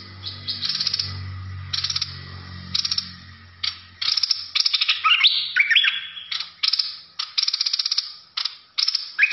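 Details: Bulbul in a fierce singing style, giving short buzzy chattering bursts repeated roughly every second, with one longer run of sliding whistles; a low electrical hum fades out early.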